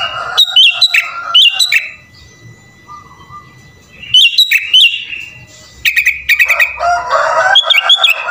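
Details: Sooty-headed bulbul (kutilang) singing full isian with borrowed phrases: paired looping whistles, a lull, then sharp chirp series and a raspy broad-toned passage under high whistles.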